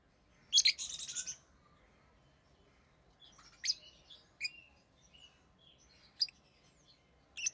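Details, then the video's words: Pet rosy-faced lovebirds, orange-faced green and red-headed green colour forms, give harsh, squeaky chirps: a dense burst near the start, then scattered sharp single notes and short clusters over a quiet background. "Rosy Faced Lovebird Chirping Sounds"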